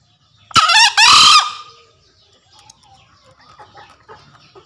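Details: Green junglefowl male calling a rival as a lure: a sharp clipped first note followed straight away by a broad, harsh, raspy burst, with faint soft background sounds afterwards.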